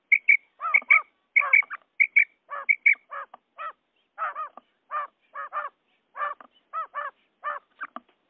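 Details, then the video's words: Male and female quail calls used to lure quail for hunting. Paired clear whistled notes and harsher nasal, stacked notes repeat roughly every second, with nothing else audible. "Batair ki Awaz bima kirak / quail sound effect | batair karik"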